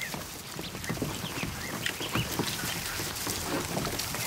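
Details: More than a hundred newly hatched ducklings in a kiddie pool inside a barn one afternoon, giving a steady mass of thin, high peeps over constant splashing and pattering water.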